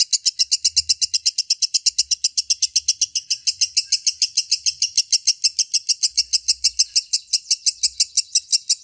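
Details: Lovebird giving its long, unbroken ngekek chatter: a rapid, steady train of high, buzzy notes, about five per second, running without pause through the whole stretch, with only faint low rumbles beneath.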